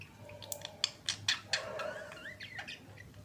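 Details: Two budgerigars kissing as a pair: a quick burst of sharp clicks and squeaks followed by softer rising and falling warbled whistles, with a low hum beneath.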